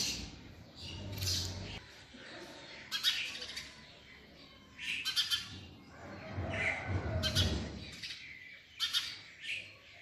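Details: Female house sparrow: short clusters of sharp, bright chirps every couple of seconds over a low background rumble.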